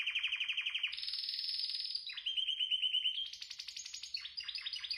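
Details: Canary song: trilled rolling phrases, a rapid trill near mid pitch, then a higher buzzy roll, a slower repeated chirp series and rising notes, all bright and continuous, indoors with no other sounds.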